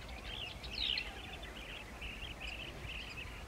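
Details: Blue-tailed bee-eater at its nest: a steady run of short, rolling, trilled chirps, with one brighter, sharper note near the start and a low background hum.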